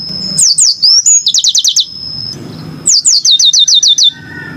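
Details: Yellow-fronted canary song built from quick series of about six to eight sharply falling high notes, two phrases separated by a pause filled with low background hum.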